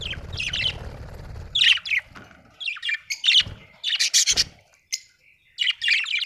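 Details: Budgerigar from Australia chirping happily: scratchy chattering bursts and sharp squeaks in uneven clusters, opening over a low rumbling noise.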